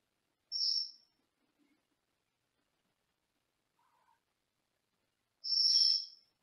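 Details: Pet Senegal parrot, a male, sitting in a small indoor cage in a separate room, making two high, thin squeaky notes about five seconds apart, with near silence between them.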